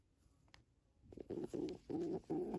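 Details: Pigeon cooing. After a quiet first second, four low, throaty coo notes come in quick succession with short gaps between them, and no other clear sounds.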